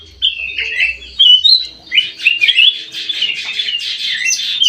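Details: White-eyed golden bulbul in an aviary: a few whistled notes, then a louder, harsher burst of squawky chirps and warbling that carries on to the end.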